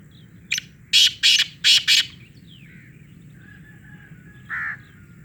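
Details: Loud black francolin call: a brief scratchy note, then four rasping, broadband bursts in rapid series, and a faint fainter hoarse note near the end, with a constant low rumble underneath.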